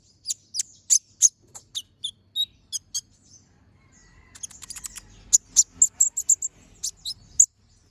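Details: Brown-throated sunbird in vigorous ngobra song for training other birds: evenly spaced sharp high chips, a quieter buzzy twitter in the middle, then a rapid series of piercing notes.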